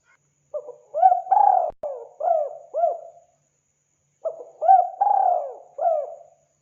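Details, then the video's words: Spotted dove calling vigorously, a recording suited to hunting: two matching phrases of soft, throaty coos, each opening with quick notes, then a long falling coo and two short hooked ones, separated by about a second of quiet. "Suara burung tekukur gacor"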